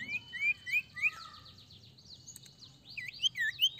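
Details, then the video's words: Sirtu in full continuous song, used to lure untrained sirtu birds into singing quickly: clear high whistled upslurs repeated about every third of a second, a brief quieter pause, then loud looping wavy whistles. "Sirtu gacor ampuh sangat pancing sirtu bahan cepat bunyi"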